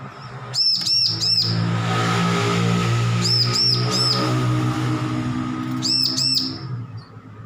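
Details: Recently weaned young bar-winged prinia practising its song: short clusters of three or four bright, bouncing high notes, each cluster about half a second long and repeated every two to three seconds, with a constant low mechanical drone beneath.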